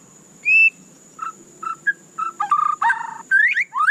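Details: Captive White-rumped shama (murai batu) song: a clear whistled note, then short separated chirps and rich warbled phrases building near the end; steady faint high hiss in background.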